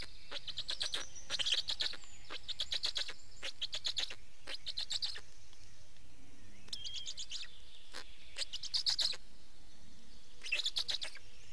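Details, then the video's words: At a black stork nest in Estonia, 19 May 2019, adults change over and feed; repeated volleys of rapid rasping pulses run through most of the recording, with soft background songs of smaller birds. "Estonian Black Storks - Change anf feeding"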